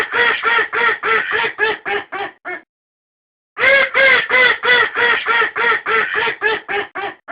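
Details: Domestic duck recorded for use as a decoy, quacking in a rapid regular series of harsh, nasal quacks, about three per second, with one pause of about one second partway through.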